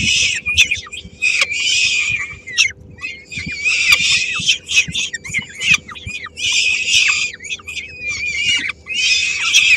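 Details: Three-week-old peregrine falcon young at a Helmond nest, 13 May 2016, as their mother brings a small bite that gets snatched: a steady stream of loud, harsh screeches in bursts, with short clicks and thin squeals between them.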